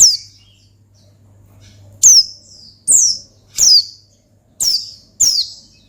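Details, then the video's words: Calling Oriental white-eye provoking a rival: a string of loud, thin, downward-sweeping chirps repeated roughly every second after a quiet start, low hum beneath. "Gacor Ngalas Manggil Lawan Perangsang Burung Pleci"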